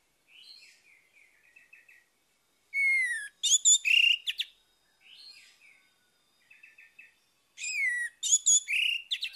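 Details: Orange-headed thrush singing in the morning, a lure for a bird that has gone quiet: two repeated phrases, each soft twittering notes, then a falling whistle and a loud run of varied sweet, rapid warbled notes.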